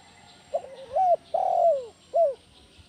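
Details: One full spotted dove phrase in the 'kuk 1' lure style used to train other doves: a soft wavering stutter climbing to a rising note, a long smooth falling coo, then a short closing hoot.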